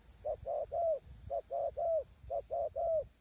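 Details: Spotted dove at a tent hide used for trapping, in strong wind with wild birds far off: soft, low, slightly arched coos in tight groups of three, each group about a second long, repeated three times against low rumble.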